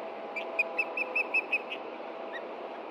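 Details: Osprey alerting to danger below its Montana nest in late June, late morning: six sharp whistled chirps in quick succession, then a faint softer note, against steady background hiss.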